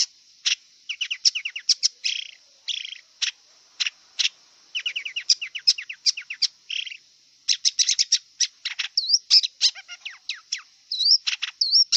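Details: Wild long-tailed shrike singing a long, varied medley: quick ticking series, short rasps, dense chattering runs and looping whistled notes near the end, over a continuous high-pitched drone.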